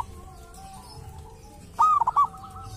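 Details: Local wild zebra dove recorded at a sacred tomb, with a voice described as distinctive. After faint background cooing, a single loud phrase sounds: one rising coo, then three rapid rolling notes.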